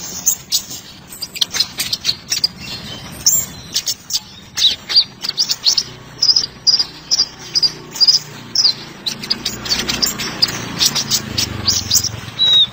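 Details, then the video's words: Sunbird, locally called kolibri ninja (konin), singing a song meant for tutoring other cage birds. High, thin, sharp chirps and short trills come in quick, irregular bursts of about two per second, with a faint low hum underneath. "Suara Burung Terbaru 2020 - Kolibri Ninja (Konin)"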